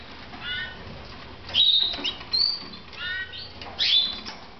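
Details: Soft nasal notes alternate with sharp high chirps from red mosaic pet canaries in Moudania, in roughly evenly spaced bursts with faint background rustling.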